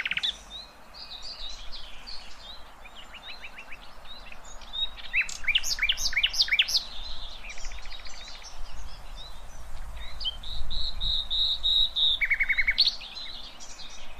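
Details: Nightingale song played to teach young goldfinches and hybrids: bursts of rapid dry trills and bright high whistles, repeated in varied phrases, with a steady murmur of other birds chirping behind.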